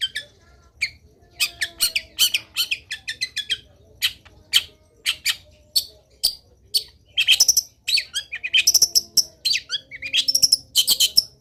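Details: Long-tailed shrike in full training song rich in varied filler phrases: dense, fast chattering of sharp clicks and buzzy notes, with short high whistled tones in later bursts.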